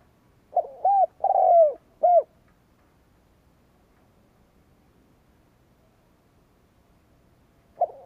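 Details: Spotted dove kept as a decoy bird, cooing to provoke rival doves: a quick burst of three to four low, hollow coo notes, then about five seconds of quiet before another coo begins at the end.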